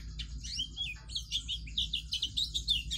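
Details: Chattering white-eye (pleci) in 'gacor' song for tutoring young birds: a couple of slurred whistles, a short pause, then a quick series of high chirps at about three per second, over a low steady hum.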